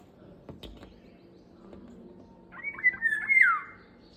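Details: Indian golden oriole, heard after a few soft clicks and taps, then one loud mellow phrase of short warbled notes that ends in a drawn-out downward-sliding whistle.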